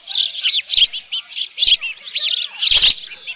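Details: Osprey at the Dunrovin Ranch nest, June 2018, leftover fish nearby: thin high chirping notes, some slurred and rising, over dull knocks and a louder rustling burst near the end.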